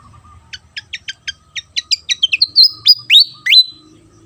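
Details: Javan fantail, called sikatan kipas for its fan-shaped tail, singing clearly: a run of high sharp notes accelerating into swooping, upslurred whistles and a sustained level whistle, with a faint low hum beneath.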